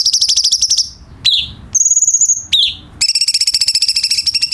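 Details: A light-vented bulbul sings as a tutor for captive songbirds: a buzzy high trill, a sharp falling note, a sustained flat high whistle, another falling note, then a long rapid pulsed trill.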